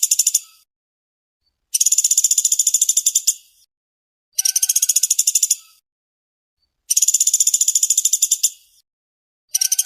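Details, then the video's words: Woodpecker, called pelatuk sampit or pelatuk beras, giving dense rapid rattles: harsh pulsed bursts of about one and a half to two seconds each, repeated roughly every two and a half seconds, with faint soft notes between. "burung pelatuk gacor speed rapat"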